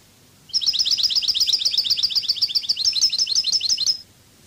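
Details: Goldfinch singing a Cadiz-style song used to teach birds: a loud rapid run of high chirping notes, steady and rolling for about three and a half seconds, little background noise.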